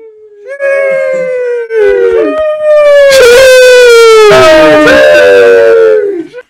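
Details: Flamingos calling with a long, drawn-out nasal wail that slides slightly and holds steady, rough and harmonic-rich, repeated in several loud stretched notes that sound like "sheesh".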